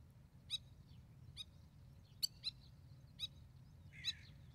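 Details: Spur-winged lapwing in Israel, a parent with chicks during the breeding season, giving sharp, high metallic 'kik' notes, single or doubled, about once a second over a soft low rumble.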